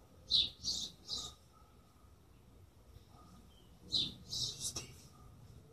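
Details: Chirping birds: a quick run of three high chirps, a pause of nearly three seconds, then another burst of four chirps, with faint steady hum underneath.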